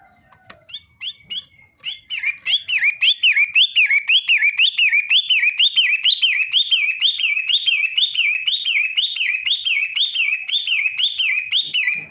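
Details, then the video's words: Long-tailed shrike song: a long run of clear, rising-and-falling whistled notes, evenly repeated about twice a second for ten seconds, each note slurring up then dropping, after a few scattered short chirps at the start. "Burung pentet matahari √√ pol andalan"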